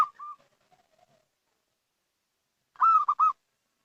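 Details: Local zebra dove giving a lure call: one loud burst of three quick, clipped cooing notes, preceded by a few faint soft notes and a long quiet gap.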